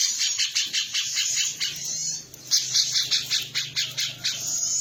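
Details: Female cucak cungkok, used as master song for training other birds: dense high chattering notes pulsing several times a second in two long runs, over a low steady hum.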